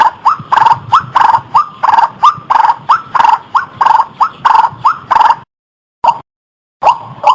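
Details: A white-breasted waterhen call used as a lure for trapping: a rapid series of short, nasal, upslurred notes, about three per second, broken by a brief pause before resuming.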